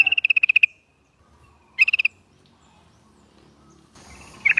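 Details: Lure call of a Yellow-vented bulbul that is meant to prompt others to answer: an opening rattle of about ten quick notes, then a shorter burst, then a brief fragment at the end.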